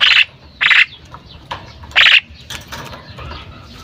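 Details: Repeated harsh, grating squawks from a female common myna, three strong bursts within about two seconds, then quieter scratchy notes.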